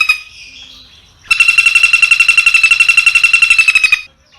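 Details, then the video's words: Harsh 'tembak' phrase from a Long-tailed shrike, yard and rice field setting, 16 May 2022, phone recording; a soft warble leads into a fast, even, buzzy rattle lasting nearly three seconds. "Masteran Burung Cendet Full Isian Mewah"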